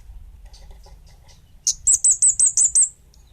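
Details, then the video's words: Energetic song of an orange-headed thrush of the kemade bunga api type: faint soft notes and low rumble, then six rapid, ringing high slurred whistles in an even series. "Suara Burung Kemade Bunga Api Gacor!!!"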